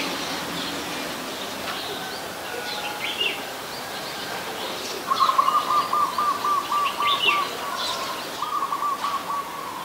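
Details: Adult red-whiskered bulbul recorded in Ubon Ratchathani, Thailand, on 26 December 2020: quick rattling runs of evenly spaced notes, two bursts in the second half, with scattered higher chirps and steady background hiss.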